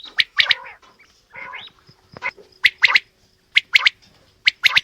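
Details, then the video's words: Mixed male and female quail calling: rough buzzy notes early on, then clear three-note sharp calls repeated about once a second. "Female Batair Calling | Male Batair Sounds | Mix Calling| Batair Ki Awaz | Batair Ki lambi Awazay"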